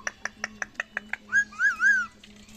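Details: Pet parrot: a run of seven short, evenly spaced clicking notes, then clear tonal whistles that rise and waver up and down in a wavy pattern before ending.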